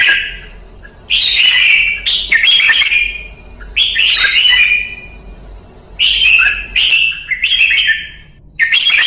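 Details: Vietnamese red-whiskered bulbul, ché training session. Short clusters of cheerful whistled notes come roughly every two seconds. Each burst opens sharply and slides downward.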